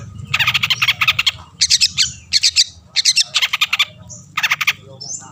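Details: Long-tailed shrike in full song, used as a lure to set other shrikes singing: loud, buzzy, rattling bursts in groups of four to six notes, repeated with short pauses over a faint low hum.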